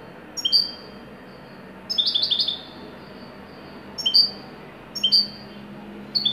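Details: Moroccan European goldfinch, Widani song style, in joyful form: short bursts of high twittering notes, each under a second, delivered in separated snatches with quiet pauses between.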